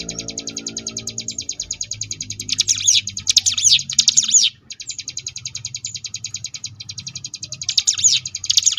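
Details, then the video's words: Ngebrem variation song of the Sunda bush warbler, a tutor recording for contest birds: steady high rattling trill with bursts of sharp swooping notes in the middle and at the end, a brief pause near the midpoint. "cigun ngebrem variasi"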